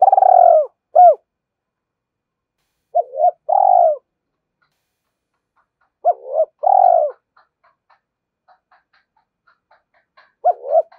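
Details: Spotted dove, a two-ending caller, coos to lure and challenge wild birds to fight: repeated groups of hoarse, low coos, each phrase a short rising note then a long falling one, with pauses of a few seconds between groups.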